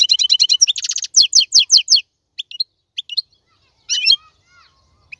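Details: Song of a male European goldfinch meant for teaching young birds: two seconds of rapid buzzy and tinkling twittering, then a few isolated chirps and a short rattling flourish.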